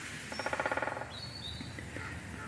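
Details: Woodpecker drumming on a woodland walk, a quick, even roll of about fifteen hollow taps in under a second, during a week of increased bird calling; faint chirps and a thin high whistle from other birds follow.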